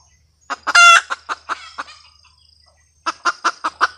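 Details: Red junglefowl hen cackle opening with a loud harmonic squawk, followed by fading clucks, a short pause, then a fresh run of clucks; soft insect tone behind.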